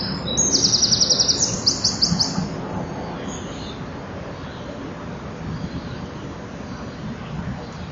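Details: Common kingfisher at the nest, recorded 12 July 2013, with a young bird present. High, rapid, buzzy pulsed notes come in quick trains for about two seconds, then fade into a steady low rumbling background.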